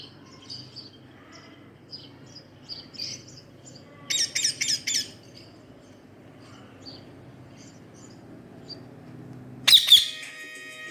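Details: Rescued rose-ringed parakeet kept uncaged at home, giving soft high chirps scattered through the recording, a burst of harsh rapid squawks around the middle, and one loud sharp squawk near the end. Low background hum throughout.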